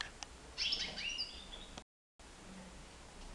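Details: European goldfinch, nine months old, free in a living room, delivering a short burst of bright, tinkling twittering notes, then a brief gap and faint room noise with clicks.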